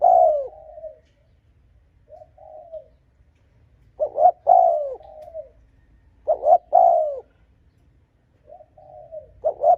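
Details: Spotted dove cooing, a recording used to provoke and lure rival wild males: low, mellow two-part coos with a falling tail, given in bursts separated by pauses of about one to two seconds, plus softer single coos, in a quiet setting.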